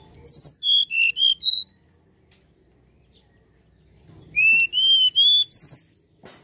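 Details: Common iora song played to lure birds into singing: two bursts of loud whistling, the first jumping between high trills and lower whistles, the second three steady rising whistles ending in a high trill.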